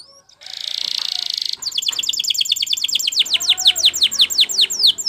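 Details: Canary singing a training song: a buzzy, sustained opening trill, then a long, quick series of downward-sliding whistled notes, growing more varied and spaced toward the end.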